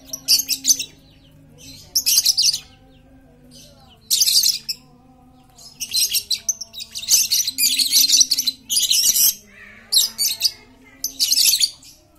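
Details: A very talkative lovebird chatters as a lure to make quiet lovebirds sing. Repeated harsh, buzzy, high-pitched bursts come every second or two, bunching into near-continuous rasping chatter midway, over a faint low hum.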